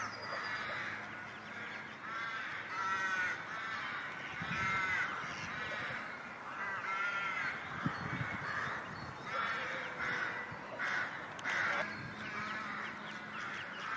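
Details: Ducks giving repeated nasal, harmonic calls in overlapping bursts, several birds at once, with a steady background hiss and occasional low thumps.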